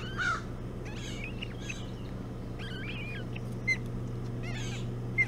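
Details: Ospreys at their Hog Island nest at 05:09 on 11 June 2017, feeding on a bullhead for breakfast. Scattered whistled chirps, some rising and some falling, come at irregular intervals over a steady low hum.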